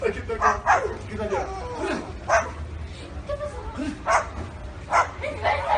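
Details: Parrot mimicking dog barks with scattered short rough bursts mixed with softer chattering, speech-like sounds between them, low hum underneath.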